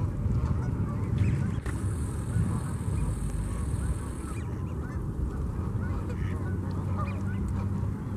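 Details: Flock of Canada geese in Memorial Park, Colorado Springs, Colorado: scattered short honks blend together, partly masked by a constant deep background roar.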